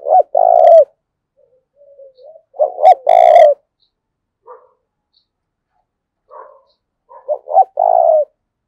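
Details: Spotted dove coos used to train and lure doves: several low hollow phrases of short stuttering notes and longer drawn coos, with quiet pauses between bursts and a faint higher overtone on one loud note.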